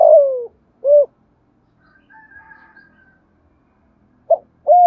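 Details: Decoy spotted dove calling to provoke wild doves; a falling coo and a short note, a faint distant sound in the pause, then two short coos start the next phrase.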